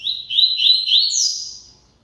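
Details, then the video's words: Double-collared seedeater singing a lot: one rapid, high warbled phrase of about one and a half seconds, stepped notes climbing in pitch and ending in a brighter, sharper flourish before fading. "COLEIRO CANTANDO MUITO"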